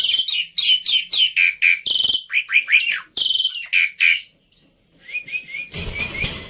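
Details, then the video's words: Black-winged myna song for bird training, a pancingan plus masteran full of phrases made to be easy to copy: rapid whistled slurs and harsh chattering bursts, a brief pause, then soft rising whistles over a rushing noise. "Pancingan Plus Masteran Burung Jalak Putih full Isian Mudah Di Tiru"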